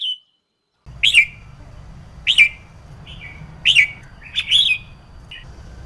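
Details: Red-whiskered bulbul female, used to get males singing: loud slurred whistles repeated roughly every second, some doubled, with softer short notes between, over a steady low background hum.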